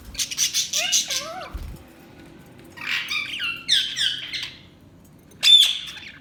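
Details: Budgie vocalizing in separate bursts: high buzzy notes, a pair of wavering whistled phrases, a run of quick descending chirps, then one sharp loud squeak.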